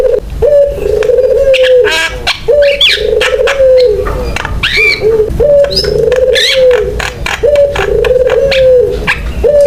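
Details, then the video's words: Vigorous Javan myna song used as a lure to set other mynas singing. Low steady whistled tones repeat about every two seconds with clicks and thin high rising whistles between them. "JALAK KEBO GACOR BUAT PANCINGAN DAN MASTERAN JALAK LAIN SUPAYA IKUT BUNYI"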